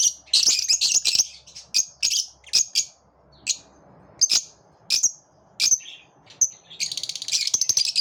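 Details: A group of lovebirds singing: quick clusters of shrill squeaks, then isolated sharp chirps, closing with a fast, harsh trilled chatter.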